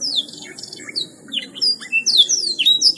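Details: Canary singing in a varied, lively stream of high whistled notes, rapid trills and sweeping slides, with brief pauses between phrases and a faint low background hum.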